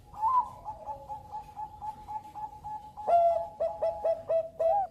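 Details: Bangkok-type zebra dove singing to draw other birds into song: a long steady whistled tone with a fainter falling line, then a burst of short, rapid, evenly spaced coo notes near the end.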